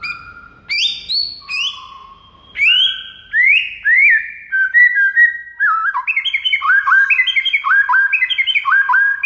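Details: White-rumped shama master song meant to prompt a reply from other shamas: separate rising whistles and sweeping slurred notes at first, then a fast run of repeated bouncing whistled phrases, loud and clear.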